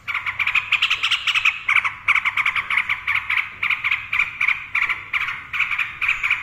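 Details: Yellow-vented bulbul (trucukan) delivering rapid 'ropel' song: a steady rattling run of short, buzzy notes repeated about four times a second, nearly even in pitch throughout.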